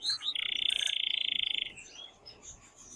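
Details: Excited male canary singing loudly to stimulate a female to mate and for young birds to hear: a brief high note, then a fast, even trill held for over a second, then fading softer warbles.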